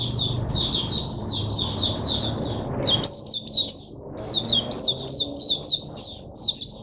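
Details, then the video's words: Caged Oriental white-eye singing a long, rapid series of high, slurred twittering notes, first flowing smoothly, then becoming choppier with sharp separated chirps. "Mata Puteh Hercules V1 buka sing"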